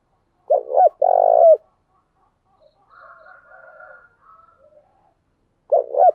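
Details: Spotted dove female calling as a lure to draw in wild doves: a deep coo phrase of short notes and a long held note, soft murmuring, then the opening double note starts again.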